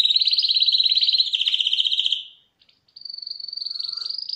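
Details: Canary song from a 2021 champion: a loud fast trill lasting about two seconds fades out, a brief gap with faint clicks, then a higher, thinner, steady trill begins.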